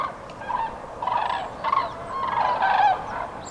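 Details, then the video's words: Close, loud trumpeting of Common cranes migrating north through Nouvelle-Aquitaine, France, on 8 February 2017; rolling, slightly hoarse calls repeat in quick succession, several birds overlapping. "GRUE Cendrée/Migration Prénuptiale/2017 ! BRUITX"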